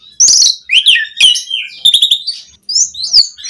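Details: Asian pied starling song, a varied full-repertoire recording used for tutoring and stimulating captive birds to sing: loud, bright whistled and chattering phrases with rising and falling slurs, separated by short pauses.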